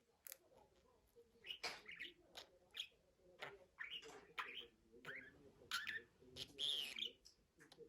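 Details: Budgerigar chatter of clicks, rasps and chirpy warbled notes, starting quietly and building. Near the end comes a louder, buzzy whistled phrase.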